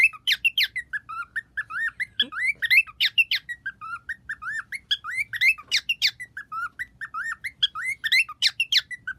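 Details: Male pet bird, which also sings, making clicking sounds: sharp broadband clicks mixed with short wavy whistled notes, repeated in quick uneven bursts throughout, in a quiet room.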